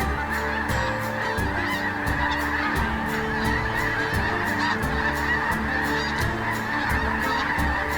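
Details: At sunset on the Platte River at Kearney, Nebraska, a huge flock of migrating Sandhill Cranes arrives at this spring stopover (late February–early April). Their rolling, trumpeting calls overlap into a steady roar over a low rumble of wind.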